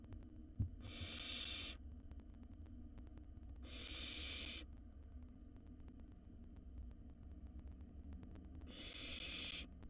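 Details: Three long, noisy hissing screeches from a wild barn owl nestling gulping down a mouse in its nest box, separated by quiet gaps, with faint background hum.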